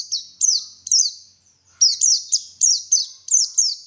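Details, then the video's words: {'caption': 'Bright, shrill white-eye chirps, each note dropping quickly in pitch. They come in fast couplets after a short silent gap, closing with a dense series of ringing notes.'} "PANCINGAN BURUNG PLECI SUPAYA GACOR"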